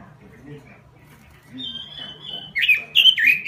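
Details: Gacor robin singing: quiet at first, then a thin sustained whistle followed by loud, bright, slurred notes tumbling in quick succession near the end, with a soft low background hum.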